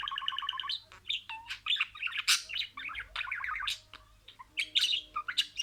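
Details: Talking pet budgerigar: an opening string of pulsed, voice-like syllables flowing into lively warbled chatter with whistles and scratchy notes, a short pause, then more chatter.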